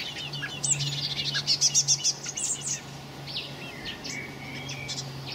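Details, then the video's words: Common blackbird young on 26 May 2018: a fast pulsing series of about six shrill high chirps, then scattered softer squeaks, with a continuous low mechanical hum in the background. "Blackbird Young"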